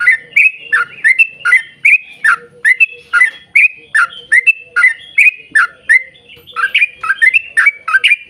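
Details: Yellow-vented bulbul in a long rapid-fire song bout used as a lure for other bulbuls: loud, quick-paced liquid whistles and chirpy gurgles, tightly packed with only brief breaks.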